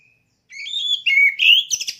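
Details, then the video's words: A caged oriental magpie-robin kept for song contests opens with a thin whistle, then builds into warbled, rising phrases ending in sharp, buzzy clicks. "Suara Burung Kacer Siap Gantang"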